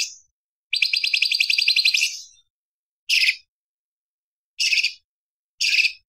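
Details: Light-vented bulbul, a cage bird, with a varied, sharp song used as a tutor recording for other songbirds. A rapid, buzzy, high trill lasts almost two seconds, then three short, sharp bursts follow about a second apart, with silence between.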